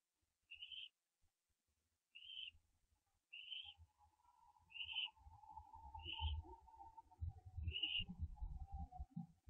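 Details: Owlet of a barn owl branching before dawn, 4:07 AM, 15 September 2011, live camera feed; six short, high, husky calls about every 1.4 seconds, while low scraping and rumbling builds toward the end.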